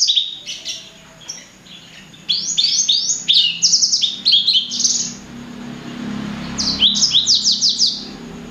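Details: A blacksang, a hybrid of blackthroat and sanger, sings thin, high, rapid chirps in quick falling runs of three to five notes, with brief pauses between bursts.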